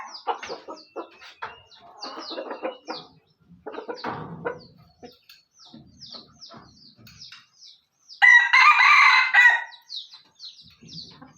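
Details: Speckled (burik) red junglefowl from Aceh: after a scatter of clucks and high, falling chirps, one loud, harsh crow bursts out for about a second and a half, followed by more thin chirps.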